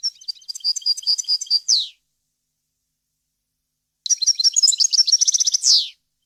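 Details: European goldfinch singing a pure, faultless song for young birds to learn from: two phrases of quick, bright twittering notes about four seconds apart, each closing with a descending buzz.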